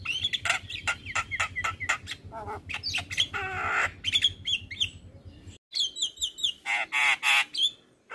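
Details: Male jalak kebo, the Javan myna, in lively master song: dense harsh chatter and buzzy rattles mixed with short whistles, a brief pause, then loud rasping bursts.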